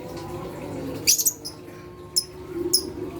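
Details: Lovebird calls to make other lovebirds excited and vocal: a harsh, high chirp pair, then two separate sharp notes, over a low background drone.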